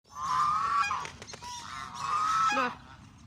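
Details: Canada geese calling while hungry: two long, nasal honks, each drawn out for nearly a second, with short clicks and a faint low murmur between them.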